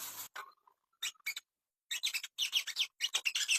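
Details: Ashy tailorbird recording used as training audio to bring birds into breeding condition: harsh, squawky chattering notes in short bursts separated by brief silences, growing denser and faster toward the end.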